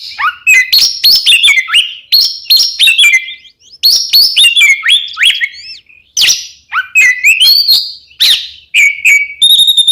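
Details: Oriental magpie-robin (kacer) in the 'kembar ngeplong' style, used as a lure to get caged birds singing: loud, varied whistled phrases that swoop and trill and jump between high notes, broken by short pauses.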